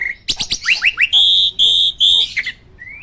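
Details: Champion caged starling firing loud staccato notes, a series of quick rising slurred whistles, then three long, piercing steady whistles and a final upward slur.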